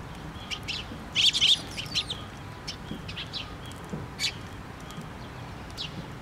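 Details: Sparrows collecting at a post-top feeder at a Tenmangu shrine, 24 June 2023, give a quick cluster of bright chirps early on, then softer scattered tweets against a quiet background.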